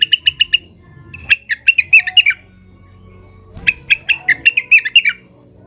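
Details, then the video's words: Excited Blue-winged leafbird (cucak wilis) calling rivals: a short quick trill of five chips, then two lively phrases of varied sharp chirps and downslurred whistles separated by a brief pause. "suara burung cucak wilis gacor, emosi manggil manggil lawan"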